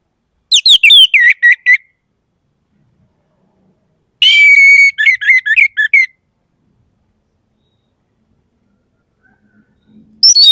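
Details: Orange-headed thrush song in bursts of fast whistled notes. Each burst opens with a descending slur, then a steady whistle and quick chirps. The bursts are separated by silent gaps of two to three seconds, with a new phrase starting at the end.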